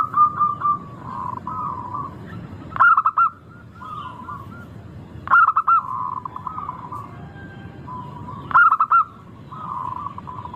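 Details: Local zebra dove song meant as a lure: loud bursts of three to four rapid, rolling coo notes repeat every few seconds over a constant low chorus of softer coos.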